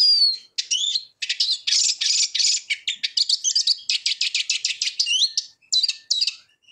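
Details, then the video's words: Eurasian siskin singing a fast, jumbled twitter of quick chirps and buzzy trills, with curving wheezy whistles slipping in between the bursts and a few brief pauses. "Eurasian Siskin Song - تغريد النعار"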